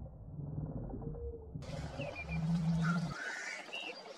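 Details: Black grouse at night in Svinndal on 27 April 2019: low, soft bubbling coo rolling steadily for about a second, set against a rumbling background, with a few faint higher bird notes.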